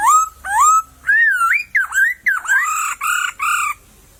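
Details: Song of a laughingthrush in wild bamboo thicket: a steady whistled note, then a string of looping, wavering whistles that rise and dip, each phrase about half a second long.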